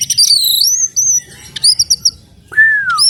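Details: Oriental magpie-robin, called kacer alas, singing: clear whistled notes sliding up and down, a quick run of short repeated chirps, then a long falling whistle, over faint low background rumble.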